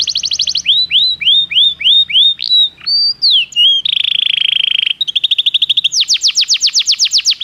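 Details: Belgian canary song used for training: series of looping downslurred notes, a short squeaky twist, then a steady rolling trill, a faster bright trill and a run of loud rising-falling whistles.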